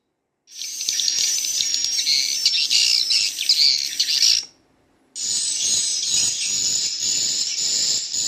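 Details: Young swiftlets chirp in a busy, high-pitched chatter for about four seconds, pause, then resume with a steadier, buzzier twitter, with adult bird sounds mixed in.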